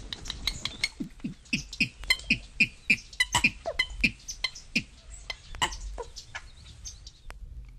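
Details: Purple Gallinule from a 1961 eastern/central North American bird-song guide gives a rapid, uneven series of sharp clucking notes, about three per second, with a faint background hiss.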